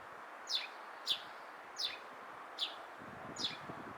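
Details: Sparrow in Japan giving single short chirps, five evenly spaced notes about every 0.7 seconds, each a quick high downward slide, over a steady low background hum.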